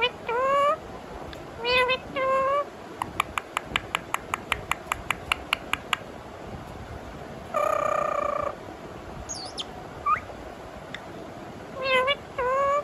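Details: A pet rose-ringed parakeet imitates a cat's meow with drawn-out, bending nasal notes between sharp clicks.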